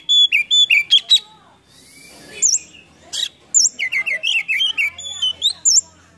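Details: Oriental magpie-robin lure song meant to stir lazy or mute birds into singing: crisp whistles and stacked chirps in quick succession, a faint hissing interlude, then rapid high whistled phrases.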